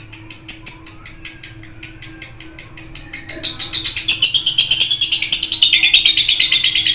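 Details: Excited lovebird chatter: sharp repeated chirps about three a second that speed up halfway into a denser, buzzier twittering stream, over a low steady hum.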